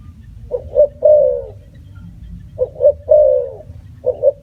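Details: Spotted dove cooing: paired short notes leading into a long drawn coo, repeated about every two seconds, with soft low background rumble.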